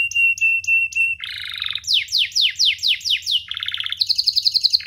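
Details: Song of a domestic canary used as a master for young canaries and as a prompt to sing. Short clipped high notes give way to a buzzy roll, six descending whistled sweeps, then fast pulsed trills.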